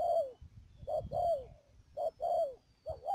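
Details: Spotted dove used as a decoy for trapping wild doves at Mương Điều, Đầm Dơi, Cà Mau, Vietnam, 12 March 2019; repeated low coos, each short note followed by a longer falling croon, roughly once a second.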